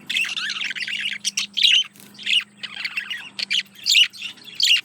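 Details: Courting male budgie singing to a female, a dense stream of harsh chattering warble broken by sharp squawky chirps, delivered in quick uneven bursts over a steady low hum.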